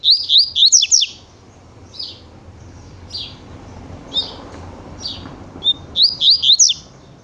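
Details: Double-collared seedeater singing the tui tui style: a rapid cluster of whistled notes, several softer single notes spaced about a second apart, then another fast cluster, over a low background rumble.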